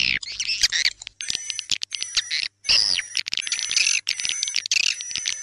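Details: Composed dusk lure of edible-nest swiftlet calls in tarik senja style: clipped buzzy chirps in stuttering groups broken by short pauses, with a steady piercing high tone behind.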